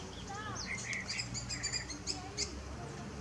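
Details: Unidentified bird singing at El Retiro, Antioquia, Colombia, on 15 February 2022, recorded with a Nikon P900 camera: a quick series of thin, high chirps and short twittering notes over a steady background hiss.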